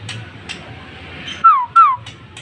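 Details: A Bornean white-rumped shama, a top-five contest bird, gives two loud, clear whistles, each sliding down in pitch, about a third of a second apart, over a low hiss and faint clicks.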